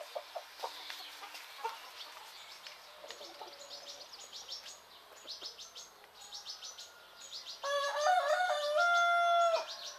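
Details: Rooster crowing in the morning in Greek countryside: small birds twitter in rapid, high chirps for most of the recording, then a loud, drawn-out harmonic crow rings out near the end and holds steady for about two seconds.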